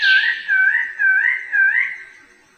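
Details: Four wavering, whistled bird-of-paradise notes, each swooping up and down at a steady pace. The notes sound ringing and somewhat nasal and fade out at the end.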